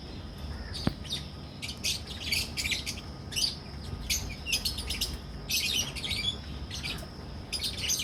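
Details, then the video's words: Chattering colony of captive lovebirds, albino red-eyed and personata red-eyed, in a breeding setup in Pakistan. Repeated shrill chirps and squeaky notes come in quick, irregular bursts throughout, several birds calling at once. "Albino Red Eyes and Personata Red Eyes Love Birds Colony Breeding"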